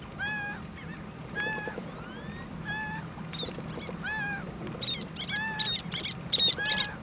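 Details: One-legged laughing gull in the United States calling nonstop; nasal mewing cries in quick succession, some overlapping with other higher gull-like notes toward the end, busier and louder calling overall, low background rumble.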